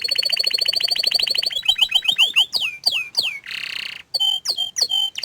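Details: Shy canary sings a rapid steady trill, then falling sweeping chirps, a brief harsh rasp, and clear ringing whistled notes with sharp downslurs.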